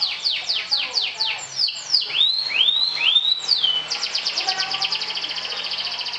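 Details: Champion canary trilling to challenge rivals in the 'sobek-sobek' style: a rapid string of falling whistled notes gives way to swooping rising slurs, then a long, steady, machine-gun trill lasting over two seconds.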